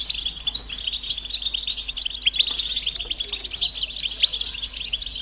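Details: A chorus of European goldfinches giving mating and readiness calls to coax males out of silence into song; continuous high, sparkling twitters and quick chirps layered densely together.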